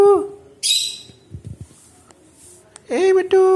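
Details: Indoor pet Alexandrine parakeet that mimics Hindi speech: the end of a nasal word, a hissy burst, soft clicks, then a loud held nasal syllable like "mitthu".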